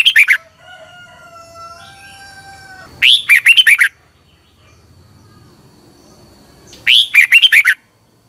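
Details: Thai red-whiskered bulbul singing, a recording played mornings to teach birds. Punchy warbled phrases of several quick notes repeat roughly every four seconds. Drawn-out whistled tones from other birds sound between them.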